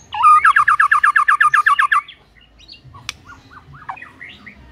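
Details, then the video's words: White-rumped shama singing a rapid train of repeated looping whistled notes for two seconds, then softer scattered short whistles and a sharp click. "Murai Batu Jadi Ikut Gacor"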